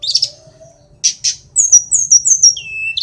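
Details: Sulingan gunung from Kokap, Kulon Progo, Yogyakarta: a harsh high burst, two short squawky notes, then a run of sharp downslurred whistles ending in a lower flat whistle.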